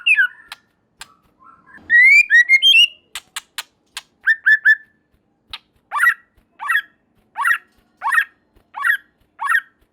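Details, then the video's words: White-rumped shama singing to provoke a response from rival shamas: clicks and rising whistled phrases, a burst of loud fluty notes, then a series of evenly spaced downslurred whistles about every 0.7 seconds. "Murai Batu Lain Dijamin Langsung Respon dan Nyambar Bunyi, Coba Saja Putar || Voice of Murai Batu"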